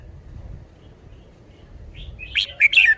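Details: Caged red-whiskered bulbul showing its song phrasing: after a quiet stretch, one brief burst of bright, fast chirping notes near the end, with a low background hum.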